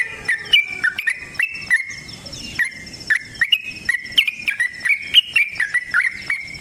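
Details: Yellow-vented bulbul singing a prolific, long rapid trill in fighting style, suited as a dawn lure for caged birds: sharp, liquid notes in quick uneven series, broken by a short gap.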